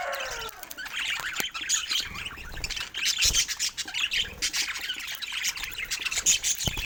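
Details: Several pet budgerigars chirping: continuous, busy, high chatter of short tweets and clicks with sharp ticking sounds scattered throughout, with no pauses.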